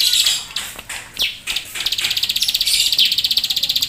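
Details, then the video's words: Keteran-style singing from a bar-winged prinia: a few scattered sharp sweeping chips, then a steady, rapid, high-pitched pulsed trill that runs through the second half. "Ciblek Sawah Gacor Full Nembak Keteran"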